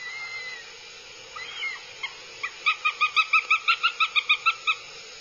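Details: Aggressive Northern goshawk chicks at a wild nest in Abernethy, Scotland, caught by a live nest camera in 2022: a run of about a dozen sharp, evenly spaced, harmonic yelping notes speeding into a steady series, over a constant background hiss.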